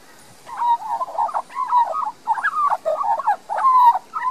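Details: Garden in Queensland, Australia, where a young resident Australian magpie sings, captured on a Panasonic Lumix LX7 camera; a continuous flow of warbled, liquid notes rising and falling, ending with a clear descending whistle and a final burst.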